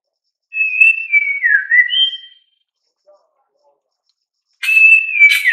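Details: A White-rumped Shama (Copsychus malabaricus) sings clear, rich whistled phrases that slide down and then jump up, pauses about two seconds, then begins another bright phrase.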